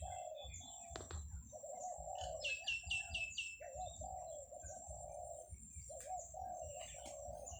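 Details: Morning countryside doves near grazing buffalo: steady run of low, rolling coo phrases, each about a second long, while a songbird adds a quick series of high descending notes and faint chirps.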